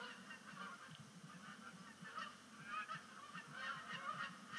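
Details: Sunset splashdown of Canada geese on Sapsucker Woods Pond, first of the season, 10 5 2019, migration beginning; honking builds in the second half, with loud bursts of several birds calling together over low background noise.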